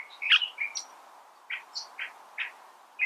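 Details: California thrasher singing a loose string of short varied notes, a loud burst early, then spaced chirps around the middle of its range, with a few thin higher notes, in quiet surroundings.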